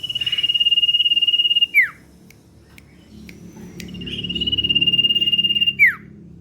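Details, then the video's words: Common iora in full song, a 'ngetir' trilling lure: two long, steady, finely pulsed high whistles, each about one and a half seconds, ending in a sharp downward slur, with faint clicks between. "Sirtu/cipow gacor ngetir ~ Pancingan suara sirtu cipow ngetir"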